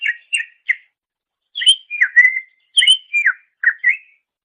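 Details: Greater green leafbird, recorded as master song for training songbirds, gives short groups of two or three whistled notes, some sliding downward, separated by brief pauses.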